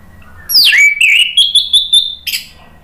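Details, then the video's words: Anis merah song used to make listening birds answer. A falling swoop, then a wavering whistle climbing gradually in pitch, punctuated by quick high ticks, closing with a short rasping note. "SUARA ANIS MERAH bikin EMOSI jadi NYAUT NGEPLONG ¦ PANCINGAN AM ¦ TERAPI MACET"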